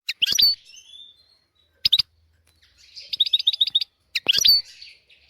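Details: European goldfinch singing a tutor song meant for teaching young goldfinches and canaries: short bursts of high twittering notes separated by pauses, a brief fast trill of clipped notes near the middle, and a final bright chattering phrase.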